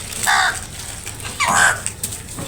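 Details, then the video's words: Crows fighting over food, giving two loud, harsh, hoarse caws a second apart over faint background noise. "Crows dangerous fight for food | Crows loud noise for food"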